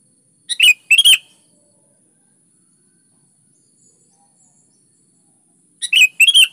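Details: Sooty-headed bulbul singing actively: a pair of short, loud, chattering whistled phrases, then about four seconds of silence, then another similar pair of phrases.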